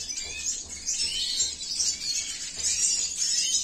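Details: Male red siskin of the cinnamon mutation, a captive-bred bird, singing a dense, high, rapid twitter of buzzy notes and thin sweeps that runs without pause. Soft pulsing hum sits low underneath.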